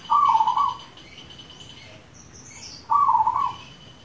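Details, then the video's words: Two brief trilled coo phrases from a local zebra dove, nearly three seconds apart, with a faint high chirp between them; the recording serves to stimulate pet doves to call. "Pancingan ampuh perkutut lokal gacor,di jamin perkutut anda jadi rame"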